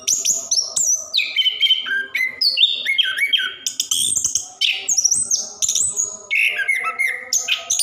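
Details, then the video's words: Orange-headed thrush in continuous, rolling song, used to prompt quiet caged birds to sing: rapid varied phrases of clear whistles, slurred notes and buzzy trills, mostly high, with hardly a pause between phrases. "Anis Kembang / Plontang Gacor Ngerol"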